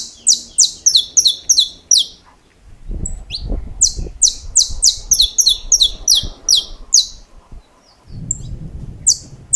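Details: Saffron finch singing in the 'estalos' style, a rapid string of piercing, snapping high notes that breaks off for a few seconds of low thumping handling noise before the clipped notes return, loud and closely spaced.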